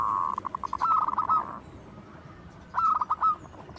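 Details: Local zebra dove calling loudly as a lure: a sustained buzzy coo breaking into a fluttering trill, then after a gap a shorter trill of quick clipped notes, over steady background hiss.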